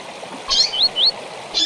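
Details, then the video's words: Double-collared seedeater song in the tui-tui style with chirps, used to train young birds. Two buzzy high chirps frame a pair of quick, rising, slurred whistles in a short phrase, with faint background hiss. "Tui Tui com Piado para Encarte de Coleiro e Papacapim"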